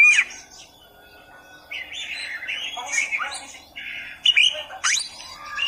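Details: Oriental magpie-robin masteran training song meant for beginners: a varied run of squawky, buzzy notes and brief whistles with sharp high upslurs, delivered in bursts after a quieter opening.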